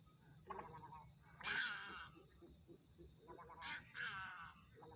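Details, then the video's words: Little egrets from Sindh calling with hoarse, guttural squawks and nasal, stacked-tone cries in short overlapping bursts, two louder harsh outbursts standing out against a constant low rumble of background noise. "صوت طائر الغرنوق، Egrets Birds Sound"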